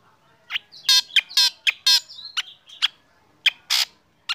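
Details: Black drongo, a caged bird sunned in the morning, gives loud harsh rasping bursts with buzzy ribbed notes and short sharp chirps, irregular, about two per second, with a faint whistle from another bird mid-clip.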